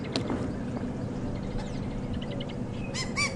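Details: On a dark, gloomy December morning safari drive, a White-crowned Shrike alarm-calls at a leopard, giving two harsh, nasal squawks at the very end, over a steady low engine rumble and faint chatter from other birds.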